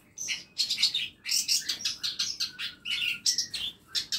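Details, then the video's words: Aviary birds at home produce a dense, rapid jumble of high twitters and chirps, with a couple of long thin whistled tones threading through the chatter. "KANDANG AVIARY ISI NYA BURUNG BURUNG MASTERAN"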